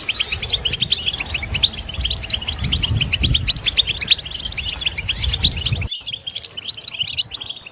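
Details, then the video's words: European goldfinch chorus of stimulating mating calls for captive males: fast, rhythmic high twittering repeated many times a second over a low rumbling background, which cuts out abruptly near the end while the chirping continues. "بتبتة الحسون تحفيز الحسون على التغريد والهيجان علاج صمت الحسون goldfinch stimulation"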